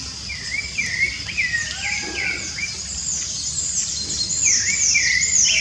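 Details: Free-living rufous-bellied thrush singing in Brazilian nature: a flowing series of mellow whistled notes, each a quick rise and fall, joined by thin high slurred chirps and a steady insect drone.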